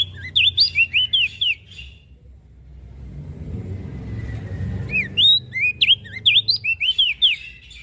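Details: Mountain leaf warbler song in two bursts of quick, swooping whistles, separated by several seconds of passing traffic rumble.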